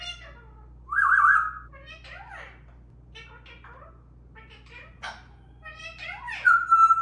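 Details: Parrots chattering in a playful argument among three birds: varied short notes, a loud buzzy sustained call near the start, rising and falling whistled slurs and clipped harmonic chirps, with a steady low hum underneath.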